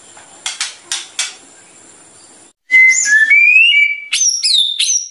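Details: White-rumped shama in energetic song meant to stir up other birds: a few soft clicks, then a loud sequence of clear sliding whistles that rise and step between pitches.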